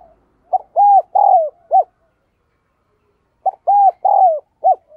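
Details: Spotted dove acting as a decoy, cooing in the urging "thúc gù" manner to stir other birds into calling. Two identical loud phrases, each a quick note, two drawn-out falling coos and a short end note.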